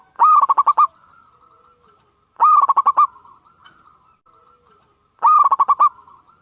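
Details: Local zebra dove (perkutut) with a big voice, used as a lure to prompt singing, sings loud bursts of about seven quick, bubbling coos, repeated roughly every two and a half seconds, with a faint steady hum behind.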